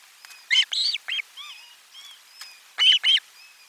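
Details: An Osprey calls at the nest during a 12 July 2022 lunch fish delivery: loud paired whistled yelps open and close the passage, with softer, lower curved notes and faint tones in between.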